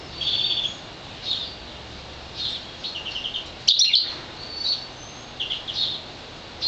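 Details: A one-year-old goldfinch mule, a European goldfinch × colour-fed green fife canary hybrid, sings bright, high twittering phrases and short trills in bursts, with brief pauses between them.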